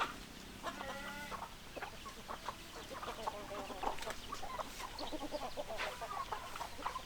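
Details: Hens cluck continuously, with many overlapping short, clipped notes over a steady noisy background. A brief drawn-out tonal call is heard near the start.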